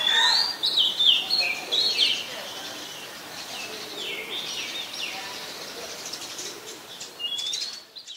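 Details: Oriental magpie-robin singing in Ubon Ratchathani, Thailand, in October 2021: loud opening burst of varied whistled and chattering notes, then softer, more distant whistles and thin high phrases fading through the rest of the passage.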